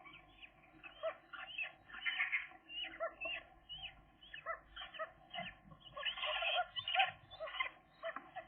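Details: Thirteen-day-old seagull chicks, two of them, growing fast and learning to visit the food tray; bursts of squeaky, chattering calls in short clusters, loudest around two, six and seven seconds, with brief pauses between.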